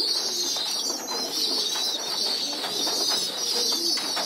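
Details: Group feeding of young pigeons on the loft floor: an unbroken chorus of thin, high, wheezing begging squeals, with faint low cooing in the background.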